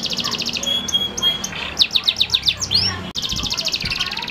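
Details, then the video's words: Song of a male canary from the F2YS line, a cage bird: fast buzzy trills and a sustained whistled note, then a rhythmic series of sharp descending chirps, a sweeping upward note and another rapid trill. "KENARI F2YS PEJANTAN TANGGUH"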